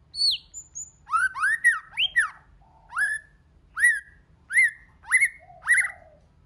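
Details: Rousing white-rumped shama song in many voices: a high dropping whistle, then a steady series of loud, rich, upward-sweeping whistled notes spaced about half a second apart, with a soft low note near the end.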